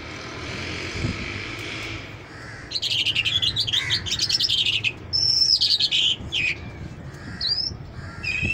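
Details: Mashadi Jal lark, described as singing non-stop: after two seconds of low hiss, bursts of high, varied, chattering and whistled phrases follow in quick succession, including a sliding whistle and short trills, with faint background rumble.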